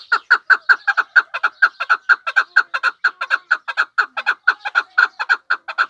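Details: Pamir chukar partridge calling in a fast, steady run of clipped chuk notes, evenly repeated about twice a second throughout, each note punchy and mid-pitched.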